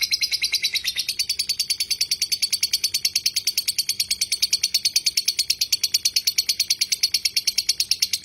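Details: A lovebird's drawn-out ngekek chatter, used as tutor material: a rapid, highly regular stream of shrill clicks and chirps, roughly three per second at first, then faster and steady, holding the same high pitch.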